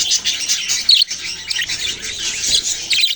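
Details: A lively chorus of baby budgerigars: sharp, high twittering notes run together with a brief pause near the one-second mark, then resume densely.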